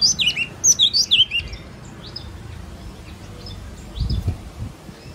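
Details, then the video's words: A yellow-cheeked tit gives a quick run of about six bright, high whistled notes in the first second and a half, followed by faint distant chips and low rumbling noise. "CHIM BẠC MÁ MÀO | Yellow cheeked tit"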